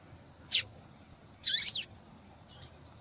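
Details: Female double-collared seedeater calling to stimulate male song. A quick sharp chirp is followed by a longer, buzzier note that slurs downward, then a faint soft note.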